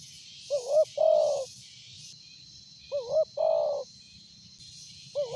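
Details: Big-voiced spotted dove, good for luring, cooing steadily, about every two and a half seconds: two short wavering hoots then a drawn-out hoot, with a throbbing high insect chorus behind.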